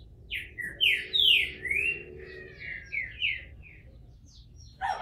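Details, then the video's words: Captive Green-winged Saltator from Brazil, bald after moulting, delivers a rapid tumbling phrase of bright slurred whistles, loud at first and fading into shorter notes, ending with a brief noisy sound. "Trinca ferro careca, saindo de muda!!"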